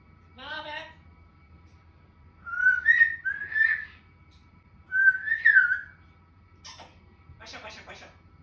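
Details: Pet grey parrot (Jako), four years old, indoors doing imitations: a short faint harmonic note, then three loud whistled phrases that rise and fall, followed by scratchy clicking bursts over a steady low hum.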